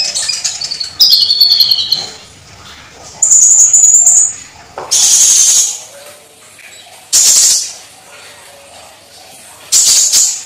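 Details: Olive-backed sunbird (kolibri ninja) in full isian song: descending whistled phrases and a rapid high trill first, then loud, harsh, hissing bursts repeated at intervals of about two to three seconds.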